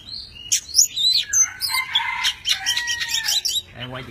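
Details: Tame Oriental magpie-robin singing and dancing with wings spread and tail fanned: a brief rich run of high whistled notes, quick twitters and buzzy trills, then a low short sound at the end.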